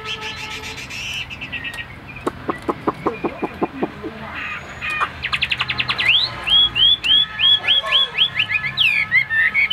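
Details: Caged male Chinese hwamei singing. It opens with rapid clicking notes, then gives a run of loud rising whistled notes repeated about three times a second, ending in tumbling varied phrases.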